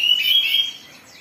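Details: Oriental magpie-robin singing agitatedly, a recording meant to provoke other magpie-robins into song: one bright, high whistled phrase with a quick upward slur that fades out within a second.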